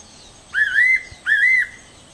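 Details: Fairy pitta giving two clear whistled phrases, each about half a second long, rising sharply and then holding a slightly wavering pitch, separated by a short pause, against a quiet background.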